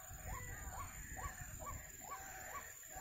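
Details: White-breasted waterhen, locally wak-wak or baburak, near a bird trap: about six hooked nasal notes in three seconds over low rumbling background noise.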